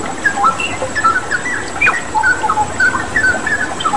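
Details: Straw-headed bulbul training song with water sounds: a few rich whistled phrases of rising and falling notes, with brief gaps between bursts, over a persistent hiss of running water.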